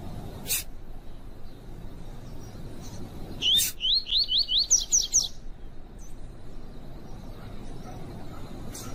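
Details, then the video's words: Double-collared seedeater (coleiro tui tui) gives a quick two-second run of about eight high, thin, upslurred notes with female chirps, used to warm up and train males, amid sharp clicks and low rumble. "CANTO DO COLEIRO TUI TUI PROFESSOR COM PIADO DE FÊMEA DE COLEIRO"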